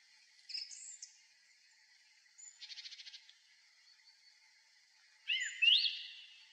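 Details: Song thrush singing at dusk in early April from a high pine crown beside an old railway crossing: scattered high squeaky notes, a short dry rattling trill, then a loud rising-falling whistled phrase.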